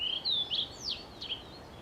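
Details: Nearby blue-and-white flycatcher song from 2 June 2020: bright whistled notes in quick succession, including a sharp down-slurred sweep and a brief high flourish, then a softer fading whistle, against low steady hiss.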